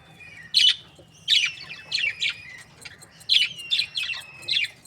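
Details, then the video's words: Budgerigar breeding pairs chirping happily: a series of bright, scratchy chirps roughly every half second to second, some with thin whistled tails, repeated seven times over a low background hum. "Happy budgie chirping sounds | breeding pairs"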